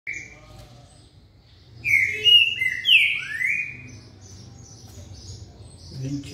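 A green-winged saltator gives a quick burst of loud, rich whistled phrases, slurring up and down. Faint higher chirps of other birds and a low murmur continue behind.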